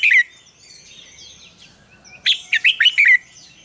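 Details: Red-whiskered bulbul double-note morning song, mature wild style, used as a lure for training. A brief warble opens the clip, then soft high twitters follow, then a lively run of five or six loud, slurred, bubbling notes.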